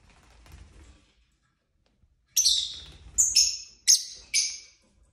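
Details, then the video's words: Household pet lovebirds chirping: a soft low rustle first, then a quick run of four sharp, piercing chirps, each starting with a high peak and trailing off, spaced under a second apart. "Lovebird Craziness (singing & chirping & fighting sounds)"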